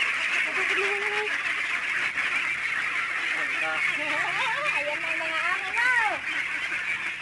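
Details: Flock of about 600 domestic ducks on a duck farm in San Agustin, released and heading toward the camera: nasal, harmonic calls, some rising and falling in quick bends, overlapping over a steady loud hiss, with people talking.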